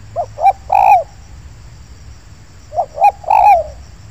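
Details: Wild spotted dove in an oil palm plantation, called in during bird trapping: a soft, low cooing phrase of two short notes and a longer drawn-out coo, given twice about two and a half seconds apart, over faint background hum.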